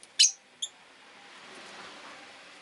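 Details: Two Rosy-faced lovebirds at the entrance: a strong grating chirp followed by a shorter, softer one, then a rising hiss of background noise.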